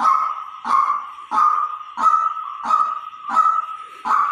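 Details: White-breasted waterhen decoy call: harsh, nasal mid-pitched notes, each opening with a sharp click-like attack, repeated steadily about every two-thirds of a second, seven notes in total over a faint background hiss.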